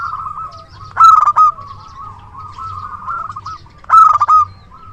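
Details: Zebra dove of local stock, kept as a reliable lure bird and noted for its strong voice: loud, rough-edged coos repeated roughly every three seconds, with a sustained, quieter level cooing run between them.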